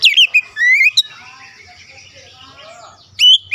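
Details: Kacer, the Oriental magpie-robin: a sharp downslurred whistle and a rising note open the phrase, followed by soft, thin mixed warbling, then a loud whistled note returns at the end.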